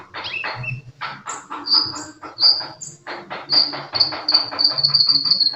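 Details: Sunbird singing actively: rapid high chirps and short buzzy notes, then a run of bright thin whistled notes repeated quickly near the end, with soft clicking underneath.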